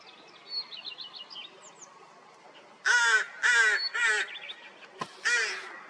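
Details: Rooks with newly hatched chicks, 16 May 2023, following a cold spring: four hoarse, grating calls in quick succession over about three seconds, preceded by soft high chirping and broken by a sharp click.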